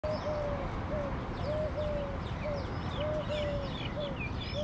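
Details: A Eurasian collared dove in India, apparently courting a female, gives soft, low, hollow coos in short repeated notes, with thin high chirps from small birds in the background.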